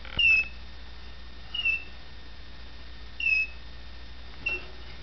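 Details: Young male red factor canary indoors, new to the home and a little shy, sings four short high whistled chirps roughly every one and a half seconds over faint background hum from a digital camera recording.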